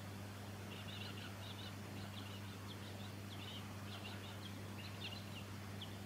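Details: Silvereye, subspecies pinarochrous, recorded in Victoria, Australia, in December 2017: busy clusters of short, high chirping twitters in quick succession throughout, over a steady low mechanical hum.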